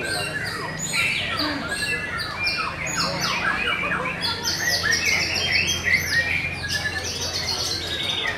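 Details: Competition white-rumped shama song, loud rich whistles and fast descending trills tumbling over one another, several birds seemingly singing at once, constant low electrical hum in the background.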